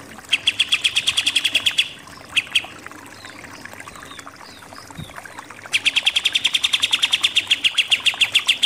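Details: Pied triller in 'nembak-nembak' shooting song: a fast even trill of piercing repeated notes, a quiet stretch with scattered faint chirps, then a long dense trill of rapid notes to the end.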